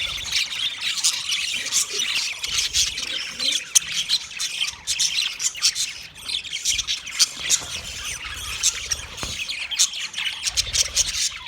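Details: Steady high-pitched chattering from many budgerigars, quick chirps and scratchy squawks overlapping in a busy, unbroken stream with brief louder peaks.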